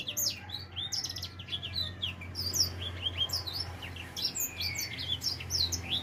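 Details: Four-month-old edel sanger finch beginning to sing, delivering a rapid stream of high, sweeping chirps and short whistled notes in quick succession, with a steady low hum underneath.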